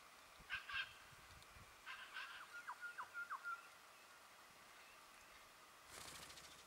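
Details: White-browed woodswallow in Victoria, Australia, November 2014: two harsh, rasping broadband notes, then a quick run of five short downslurred chips, and a burst of rough noise near the end.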